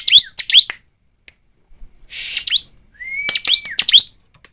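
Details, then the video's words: Bar-winged prinia lure recording to prompt singing: a few slurred high chirps, a pause, a buzzy burst, then a long steady thin whistle followed by more quick chirps. "Pancingan ciblek agar bunyi dan cepat gacor || ciblek gacor ( suara ciblek)"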